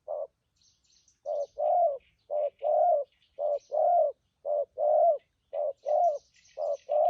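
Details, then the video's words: Spotted doves, freshly wild-caught birds praised for their voices, giving 'thúc gù' coos in Vietnam. A steady run of short-long hollow note pairs, about one note per second, over faint scattered high chirps of other birds. "Bấy cu gáy bổi thổ tốt tiếng , hàng thúc gù , phóng rước tốt có kèm"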